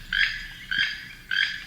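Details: Keel-billed Toucan, reported seen in flight in San Ramón, Costa Rica, giving three dry, frog-like croaking notes, one roughly every half-second, over a faint low background hum.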